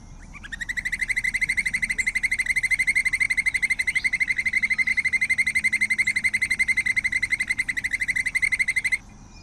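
A White-necked puffbird gives a long, even trill of rapid, high whistled notes at one steady pitch, running unbroken for about eight seconds.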